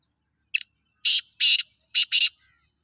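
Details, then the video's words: Sindhi black francolin in jungle: a short harsh note, then four loud grating buzzy notes in two quick pairs, all delivered within about two seconds against a silent background. "سندھی کالے تیتر کی آواز"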